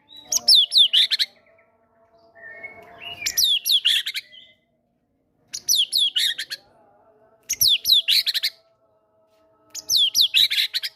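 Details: White-rumped shama, a caged fighter bird in full song, delivering great tit mimicry material to prompt other caged birds to sing: five short bursts of sharp, high, descending whistles and rapid chatter, each about a second long, roughly every two seconds.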